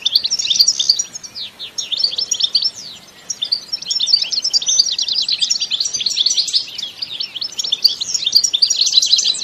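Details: Enthusiastic batbata song from a European goldfinch, with no added effects: an almost unbroken stream of bright, rapid twitters and trills, dipping briefly around three seconds before resuming at full energy.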